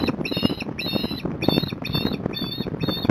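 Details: Osprey at Port Lincoln, Australia, on 26 January 2021, as a bird returns to the nest with a fish; six loud, harmonic whistled squeals repeat about every half second over steady crackling and rumbling background noise.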